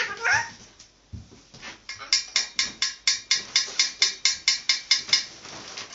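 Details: Hungry parrot begging for food: one harsh squawk, a pause, then a fast, even series of about sixteen raspy calls, roughly four per second, in a small indoor room.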